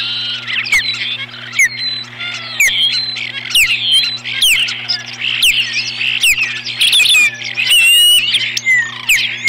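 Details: Osprey pair defending their nest from an intruder, 21 April 2015: rapid series of high, sharp whistled chirps, many sliding downward, repeated about once a second with uneven spacing, over a steady low electrical hum and occasional clicks.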